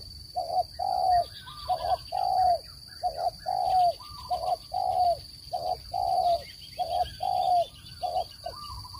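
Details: Spotted dove lure recording for trapping, with about four phrases of low coos, each a quick double note and a longer sliding-down note, repeating steadily; songbirds chirp and twitter and a high whine continues behind.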